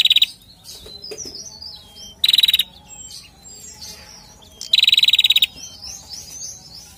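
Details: Male bar-winged prinia sound used to lure males: three bursts of rapid, high, dry ticking notes, each under a second long, with thin whistles of other birds between.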